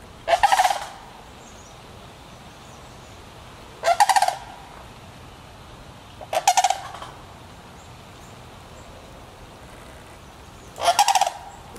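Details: Sandhill crane family in Petoskey, Michigan, giving four loud rolling, rattling bursts spaced roughly three seconds apart. Each bugle lasts under a second, with a quiet background between calls.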